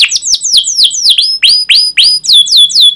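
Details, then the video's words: Canary in full song, 'cuit cuit' style, used to stimulate other canaries to sing: rapid high down-slurred chirps repeated several times a second, shifting to rising notes with upper harmonics partway through. "Kenari GACOR PANJANG Cuit CUIT EMOSI"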